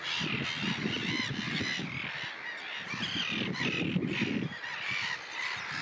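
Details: Common terns, Russia: busy chorus of rasping, arched calls, several birds overlapping, with low rumbling noise that drops away near the end.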